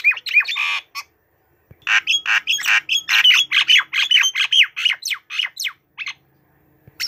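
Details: White-rumped shama, perched on a hand, delivers a loud rapid song of raspy, rich chattering notes, a brief pause, then a steady fast burst of about twenty squawky syllables before falling quiet.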